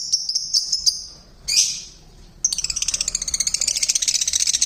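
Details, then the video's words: Lovebirds in a small home aviary: quick high chirps, one harsh rasping shriek, a short lull, then a rapid, rhythmic high-pitched chattering that carries on to the end. "Loud & Noisy Birds in my mini aviary"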